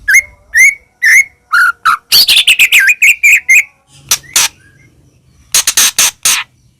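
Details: White-rumped shama singing loudly, played to provoke other shamas into song: a series of short whistled notes repeated about twice a second, then a fast buzzy rattling phrase, followed by harsh broadband bursts.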